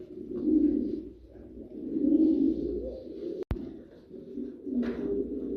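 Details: Fancy pigeons of a famous Saudi Arabian breed in Noakhali, giving deep, burbling coo phrases roughly every one and a half seconds, interrupted by one sharp click.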